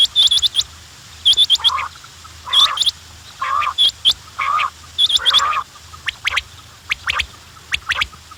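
Quail give sharp, high chirps and clicks mixed with lower buzzy notes, in bursts about every second or so, with several birds calling over one another.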